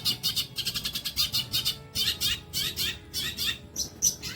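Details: Long-tailed shrike song recorded as training material for songbirds: bursts of harsh, buzzy, high chattering notes repeated in quick pulses, about one to two per second, with a short clear whistle near the end.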